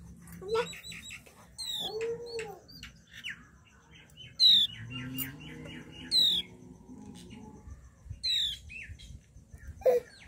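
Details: Flowerpecker, described as India's smallest bird, giving short, thin, high-pitched calls that drop quickly in pitch. They come in separate bursts every couple of seconds, with softer chirps and twitters between them and low background hum.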